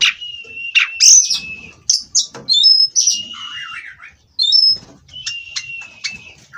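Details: Oriental magpie-robin in captivity delivering long level whistles, a thin high note and a wavering warbled run, with short sharp chips between phrases and faint background rustle.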